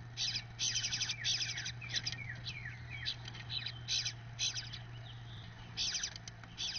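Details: Eastern bluebird, a male feeding one of his nestlings from the first clutch; rapid bursts of high, chattering chirps and short buzzy notes repeated in clusters, with a steady low electrical hum throughout.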